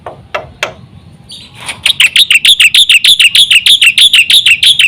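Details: Energetic gacor song of a Black-winged myna, used as a lure to set other mynas singing: a few harsh clicks, then a steady, rapid train of bright ringing chirps repeated about three times a second.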